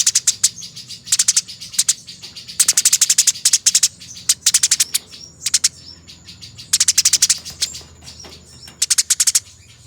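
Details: Master recording of Eurasian tree sparrows fighting, used to train songbirds: repeated rapid-fire chirp sequences, bright and harsh, some bursts packed very densely, others looser, with a soft background hiss and a faint high steady whine.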